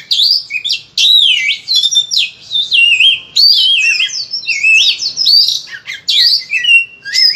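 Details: Oriental magpie-robin (kacer) in insistent, loud song crammed with filler phrases, used to coax other kacer into singing: a continuous, dense warble of varied high whistles and slurs.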